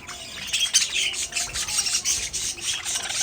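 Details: Pet budgerigars chattering together, a dense, continuous high warble of overlapping chirps and squeaks with rhythmic pulses roughly every quarter second.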